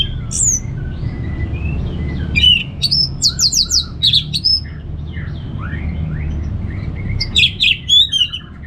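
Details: Orange-headed thrush in relaxed ngeplong song, meant to set kept birds singing: varied high whistled and slurred phrases, with bursts of rapid chattering notes near the middle and end, over a constant low background hum.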